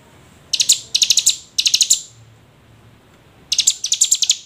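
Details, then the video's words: A hill prinia delivers calls used to stimulate sluggish prinias to sing: three quick bursts of piercing high chips, a silent gap of over a second, then another rapid chip run. "Pancingan ciblek gunung agar rajin bunyi"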